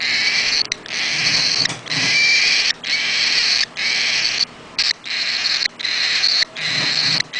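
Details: An 8-day-old baby bird gives harsh, raspy hissing calls in bursts of about one second, repeated steadily with short silent gaps between them.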